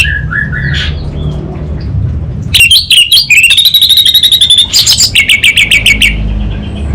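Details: Orange-headed thrush singing vigorously in Singaraja, North Bali: a few soft whistles, then a sudden loud run of sharp, evenly repeated clicking notes over a buzzy high trill, with low background noise.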